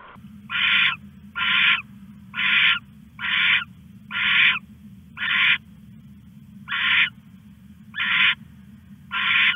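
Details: Owl stashing a rat in the small hours of 21 August 2015 gives a long run of rasping, breathy screeches, nine bursts spaced about a second apart with one longer pause, over a constant low background hum.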